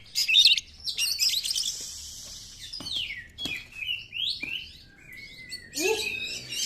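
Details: Lure recording of Oriental magpie-robin song meant to rouse other birds: sharp chips and scratchy bursts, separated by pauses, with sliding whistles and a long level whistled note.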